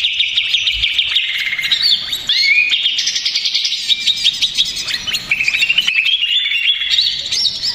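Greater green leafbird pouring out a fast, noisy stream of high chirps, whistles and mimicked notes, continuous and restless, with no other sounds.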